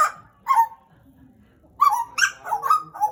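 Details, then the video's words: Captive Pied butcherbird, a pet of roughly two years, described as endemic to Papua, Indonesia, giving a few clear whistled notes, a short quiet gap, then several loud ringing whistles in quick succession. "JAGAL PAPUA GACOR, Cracticus Nigrogularis Papua Indonesian endemic Bird"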